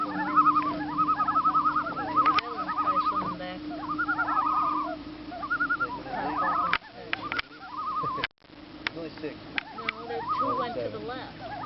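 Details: Common loon on Squaw Lake in Wisconsin, calling from the water: rapid wavering, quavering notes in repeated runs for several seconds, then shorter bursts, over a steady low engine-like hum with a few sharp clicks.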